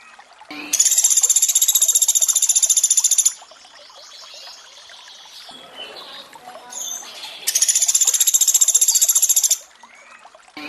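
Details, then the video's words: Sunda pygmy woodpecker in a training recording mixed with water sounds: two bursts of a rapid, high, even chattering trill, each lasting about two to three seconds, separated by trickling water and a few softer calls. "Masteran untuk sogon tembakan mewah pelatuk beras + suara air"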